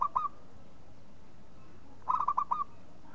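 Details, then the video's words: Local zebra dove (perkutut lokal) cooing: a clipped note at the start, then a quick phrase of about four rolling, staccato coos after a quiet pause. "SUARA MEMANGG PERKUTUT LOKAL"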